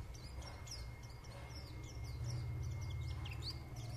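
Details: White-eye warbling: rapid, thin, twittering high notes, many short downslurred and upslurred chirps tumbling together at a quick pace throughout, over a steady low electrical hum.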